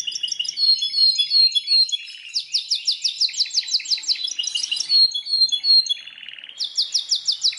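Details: Singing Belgian canary delivering varied phrases: twittering notes, a fast rhythmic series of downslurred high notes, rattling trills and a final burst of rapid repeated notes.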